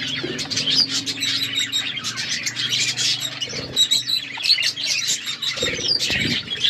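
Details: Budgies chirping in an aviary, a dense overlapping chatter of many high, quick twitters and warbles from several birds at once, continuous throughout, with occasional soft knocks and rustles.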